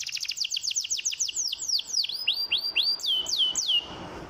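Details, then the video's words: Canary lure song for prompting reluctant canaries to sing. A fast series of sharp downslurred notes about four per second slows into longer, looping, whistled swoops. "IINI BARU PANCINGAN KENARI AMPUH"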